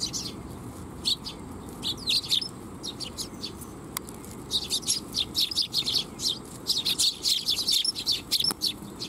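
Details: Flock of Eurasian tree sparrows coming to be fed at a shrine on July 12, 2021; bright chirps in quick bursts, a brief lull, then a dense run of overlapping chirps, with low steady background rumble.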